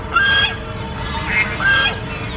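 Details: Duck on a pond: three short, harsh, nasal honking calls spaced across two and a half seconds, with steady background noise and a faint low hum underneath.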